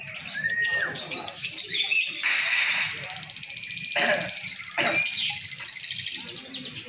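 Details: Lovebird in long-running 'gacor' singing, set in a simulated singing contest meant to train a contest bird's nerve: a dense, continuous, high-pitched chattering and twittering stream with sharp squeaky accents and scratchy bursts, with human voices in the background.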